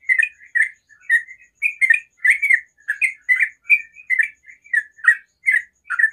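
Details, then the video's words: Sooty-headed bulbul in the morning pouring out a rapid ropel song of doubled and tripled chirps with a few softer connecting notes, the notes coming close together throughout; no other sounds. "TRUCUKAN ROPEL SUARA ALAM PAGI HARI"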